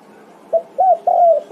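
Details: Spotted dove calling its companions: the first three notes of its phrase, a short soft coo, a rounded hoot, then a long drawn-out coo, low and hollow, over quiet hum.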